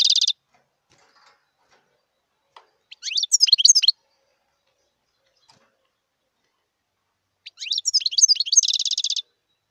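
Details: Wild European goldfinch: a buzzy trill fragment, silence with a faint tick, a twittering phrase of bright, quick notes, another pause, then sweeping chirps running into a long, rapid, rattling trill.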